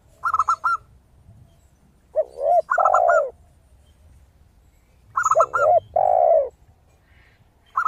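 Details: Crystal-voiced zebra dove singing steadily, giving short rattling bursts of high, clipped coos about three times in eight seconds. They alternate with lower, mellow two-part coos and a long sliding coo from a second dove.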